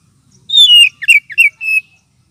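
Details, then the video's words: Oriental magpie-robin (kacer) lure and therapy call for birds short on aggression: a long descending whistle followed by quick slurred notes and a steady, level whistled tone. "Suara pikat kacer ampuh 100% !!! sudah terbukti"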